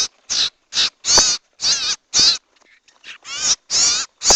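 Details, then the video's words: Owl lure recording for trapping owls, with rough, grating screeches in quick succession, a brief pause and faint softer notes midway, then the loud hoarse bursts resume at about two per second. "MP3 PIKAT BURUNG CIPOU || BURUNG SIRTU"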